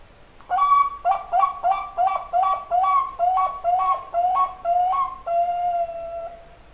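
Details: Zebra dove of the Bangkok type cooing: about ten short, hollow, flute-like two-tone notes in quick succession, each stepping up then down, ending in one long, steady, held coo.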